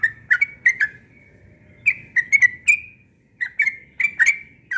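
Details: Yellow-vented bulbul giving morning ropel song: clusters of three or four quick whistled, slurred notes separated by short pauses, clear and fairly loud.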